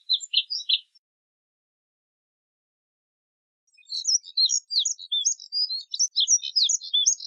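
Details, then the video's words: Moussier's redstart song: a brief burst of a few high scratchy notes, a pause of nearly three seconds, then a long, rapid twittering warble of thin, high, varied notes running to the end. "Colirrojo Diademado Canto! Colirrojo Diademado Llamado! Voz! Sonido!"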